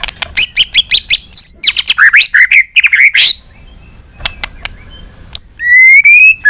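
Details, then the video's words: Many-voiced song of a white-rumped shama, played to prompt other shamas to sing: a dense burst of rapid, varied chattering and slurred notes, a quiet pause with a few clicks, then a rising clear whistle with echoing harmonics. "Kích Chòe lửa hót nhiều giọng"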